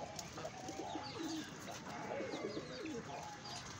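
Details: Fancy pigeons, apparently fighting, give low, throaty coos in short rolling bursts, with thin higher chirps from other small birds in the background.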